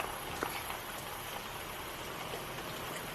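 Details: Steady hiss of falling rain with a faint low vehicle rumble underneath and a few soft drips; no animal calls.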